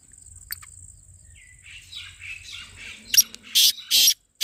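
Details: Black francolin call, used to draw the bird and prompt it to call: a loud, harsh, grating phrase of four clipped notes near the end, after softer twittering from other small birds and a steady high electronic whine.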